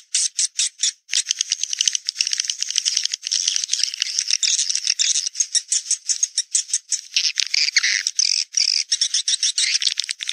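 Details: Swiftlet sound of the Naga Merah kind, played to lure swiftlets to nests: separate sharp chirps at first, then an unbroken rattling chatter of high, rapid, buzzy notes.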